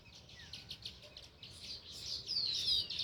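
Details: Sparrow chirping near its nest: a quick series of high, even chips, then louder, sweeping, whistled chirps that rise in volume toward the end.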